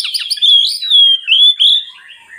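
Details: Oriental magpie-robin singing to lure lazy birds: a long clear whistled phrase with warbled rises and falls, fading into softer notes.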